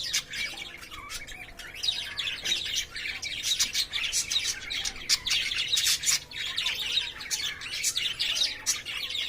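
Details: Caged lovebirds courting and playing, giving a steady stream of shrill, high chirps and squeaky chatters that overlap almost without pause across nine seconds.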